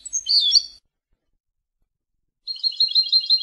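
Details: European goldfinch from Palestine giving a brief burst of high scratchy notes, a pause, then a run of fast jingling twitters.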